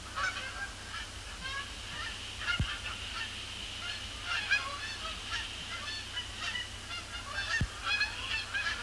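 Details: Incoming flock of Canada geese circling, then landing on Sapsucker Woods Pond at the Cornell Lab of Ornithology on a heavily overcast Thursday evening after sunset, 12 October 2017; overlapping nasal honks throughout, over a steady low hum.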